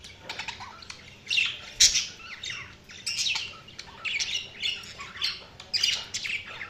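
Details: Budgerigars chirping: a busy stream of bright, scratchy chirps and squawks, high-pitched, in overlapping bursts roughly every half second, with a louder sharp note near two seconds.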